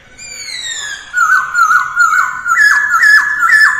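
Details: In the early morning a masked laughingthrush trains its voice in mái ro ro style, beginning with a long descending whistle, then rhythmic looping whistles that grow louder and higher, roughly three per second.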